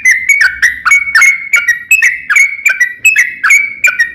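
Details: Yellow-vented bulbul song played as a lure to make other bulbuls sing: paired notes, each a sharp click followed by a clear level whistle, repeated roughly twice a second in a steady rhythm.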